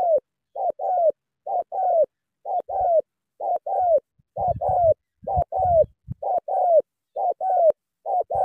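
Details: Spotted dove from Cà Mau cooing vigorously: low, hollow paired coos, a short note then a longer falling one, repeated steadily about once a second, with occasional low rumbling thumps between phrases.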